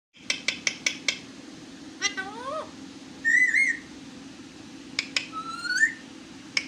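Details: Pet talking parrot giving a rapid series of five sharp clicks, then a burst of rising, wavering whistles, a buzzy two-note call, and further upslurred whistles with scattered clicks, over a steady low indoor hum.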